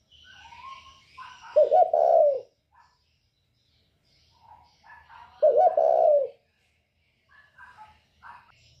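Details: Spotted dove, northern 'còi bổi' voice, used to incite other birds. Two rich, low coo phrases are heard about four seconds apart, with soft higher chirps and twitters from other birds in the background.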